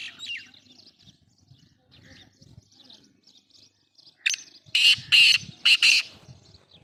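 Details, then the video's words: Black francolin from Sindh, Pakistan: faint twittering of small birds at first, then a loud scratchy call of five harsh bursts, the last three closely spaced and strongly rasping. "beautiful Awaaz Kala Teeter"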